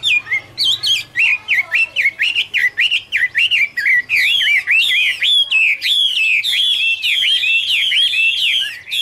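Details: Chinese hwamei (Garrulax canorus) singing in autumn: loud, rapid series of rich whistled phrases, each note swooping up and down, repeated about twice a second, growing fuller and more varied toward the end.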